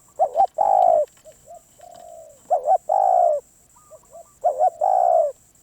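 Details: Spotted dove, a wild bird described as very persistent, giving loud cooing phrases: a quick double coo and then a long drawn, slightly falling coo, with soft short coos in between, over a steady faint high whine.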